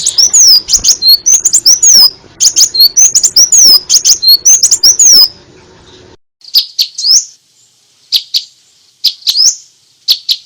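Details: Varied crimson sunbird song for tutoring: fast, thin, high-pitched twisting notes and ticks for five seconds, then sparser short high chirps in small clusters after a quiet break.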